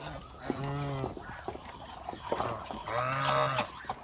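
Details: Hungry Muscovy ducks in a flock of around a thousand: two clear drawn-out nasal honks about half a second long, separated by softer calls and background chatter.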